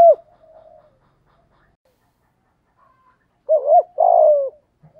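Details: Spotted dove in the 'giọng thổ' style, used to draw calls from wild doves: a lone coo and soft murmur open the clip, a long silence follows, then two quick coos and a drawn-out burred note sliding down.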